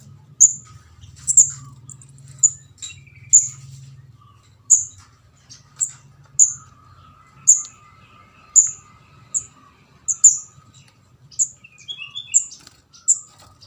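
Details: Young orange-headed thrush (kemade jawa, ndas abang) begging, its calls used as a bird-catching lure; about sixteen piercing high squeaks, roughly one a second, some doubled, with faint softer chirps of other birds behind and a low rumble early on.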